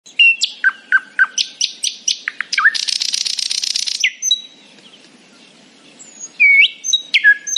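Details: Nightingale singing happily in the morning: a run of short sharp whistled notes stepping down in pitch, then a dense buzzy rattle lasting over a second, a pause, and a few high clear whistles and slurred notes.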